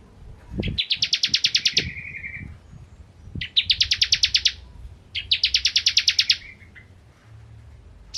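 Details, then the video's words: Singing bar-winged prinia of the 'kristal' variety, used to tutor magpie-robins; three rapid, dry rattling trills of high ticking notes separated by short pauses, one trailing into a lower buzzy tail, over faint low background rumble. "Masteran Ciblek Kristal Gacor"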